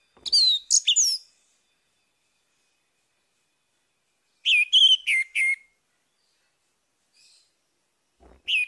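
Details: Orange-headed thrush singing in the morning, used to prompt a silent bird to sing again: two bursts of sharp, high whistled notes, each a quick run of four or five slurred chirps, separated by a few seconds of silence.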